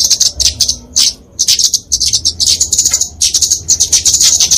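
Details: Flowerpecker in fighting song, meant to train and attract small songbirds; shrill, very high ticking trills in fast bursts, a brief quiet gap near the start, then nearly unbroken chatter.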